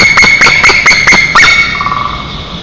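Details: At a nest 20 m up in Nizhnyaya Kama National Park, Tatarstan, on 30 April 2023 at 04:27, an eagle gives a rapid series of sharp yelping notes, about five per second, ending in softer falling yelps over a steady high whine.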